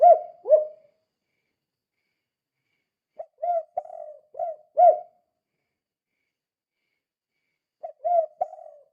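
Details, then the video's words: Spotted dove in lively 'kuk 2' calling, used as a lure to set other doves calling: low mellow coo phrases in three bursts, two quick coos at the start, a four-note phrase near the middle, another at the end, silent gaps between. "Suara Burung Tekukur Gacor Kuk 2 Sangat Ampuh Untuk Pancingan"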